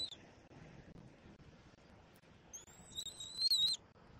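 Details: Young bald eagle at the nest in Southwest Florida, 17 February 2024, while being fed by its mother: after quiet rustling, a thin, high, slightly rising whistled cheep ends in a louder squeal.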